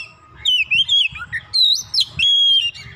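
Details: Oriental magpie-robin singing with emotion after a single provocation, unloading its stock of phrases: rich whistled notes that swoop up and down, a long clear level whistle near the end, over a faint low hum.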